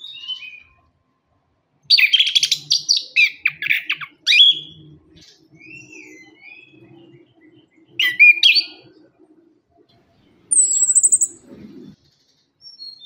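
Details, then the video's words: Lure song of an orange-headed thrush, played to get moulting or silent caged thrushes singing: bursts of dense chattering and warbled whistles, separated by pauses, with a thin high descending trill and a low steady hum. "KICAUAN ANIS KEMBANG GACOR"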